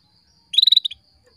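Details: Female canary calling males to bring them into breeding condition. A single brief, high trill of about eight rapid chirps lasting under half a second, otherwise quiet.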